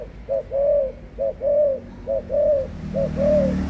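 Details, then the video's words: Spotted dove, an 18-month-old adult, giving loud clear coos in a steady rhythm: four phrases, each a short clipped note then a drawn-out arched coo, about one phrase per second, with some low rumbling noise near the end. "cu gáy trưởng thành 18 tháng"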